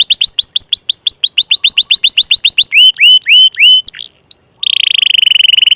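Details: Canary song meant to trigger singing in silent, lazy or young canaries: rapid falling whistled notes, slower curved whistles, then a steady buzzy trill at the end.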